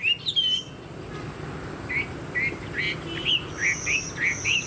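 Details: Caged Chinese hwamei with a spread tail and tall posture. After one brief whistled phrase comes a quiet pause, then a series of short, separate upslurred whistles spaced about every half second.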